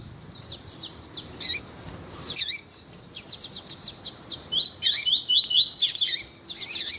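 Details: Male double-collared seedeater song mixed with a calling female, used to stimulate males; scattered sharp high ticks give way to a rapid run of clipped notes and dense twittering, slurred warbling phrases.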